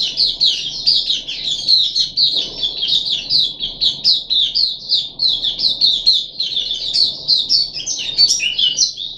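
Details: Puff-backed bulbul in a cage, third day of deworming, July 2021: fast, continuous high chirping with rapid slurred notes, almost unbroken over several seconds.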